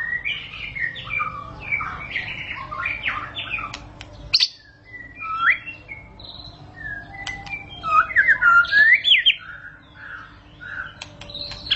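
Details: Song of a white-rumped shama (murai batu), said to make shamas burst into song (ngentrok): rich whistled phrases, rising and falling, mixed with sharp clicks, a short quiet gap, then looping melodic whistles.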